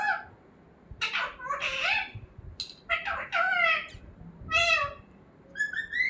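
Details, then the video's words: Pet talking parrot producing a busy run of harsh, speech-like squawks and chattering syllables, some rising and falling, ending with a couple of higher clear whistled notes. "Talking parrot"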